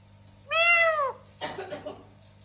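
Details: Talking parrot vocalizing: one clear harmonic, arched, drawn-out sound lasting about half a second, then a shorter rough, noisy burst of syllables, with a low steady electrical hum underneath.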